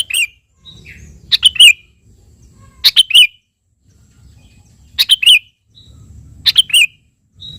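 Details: Sooty-headed bulbul in full, frequent song, calling a rival and used as a lure to make other birds answer: short bubbly paired whistled phrases, high and bright, repeated every one to two seconds, with a faint low background hum.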